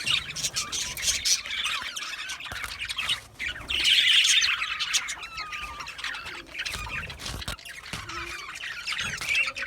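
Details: Budgies chatter with quick repeated chirps, squeaky whistles and a few clear rising notes, the flock growing loudest in a dense burst near four seconds before thinning slightly.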